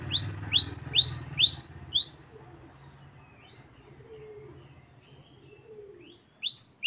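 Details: Wucit-wucit song of a great tit, locally gelatik batu, as a masteran: about six sharp upslurred whistles over a low hum, a long quiet gap, then the phrase resuming.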